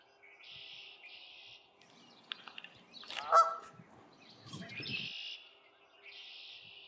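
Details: Canada geese, a family with goslings: a single loud, harsh honk near the middle follows a few short clicks, with low rumbling noise beneath. Broad buzzy calls from other birds come before and after the honk.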